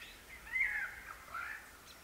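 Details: A superb lyrebird at Gibraltar Creek, ACT, gives two brief, fairly faint warbling phrases of mid-pitched, slurred notes about a second apart, over a soft hiss of background noise.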